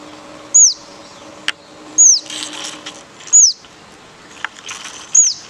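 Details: Birds chirping in Goa, India: four loud, high, downward-sweeping chirps spaced about one and a half seconds apart, with faint scattered twittering and a low steady hum between them.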